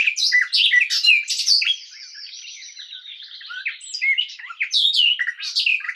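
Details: Garden warbler singing a fast, rich warble of tumbling, varied notes: loud bursts for the first two seconds, a softer continuous chattering passage in the middle, then loud phrases again at the end.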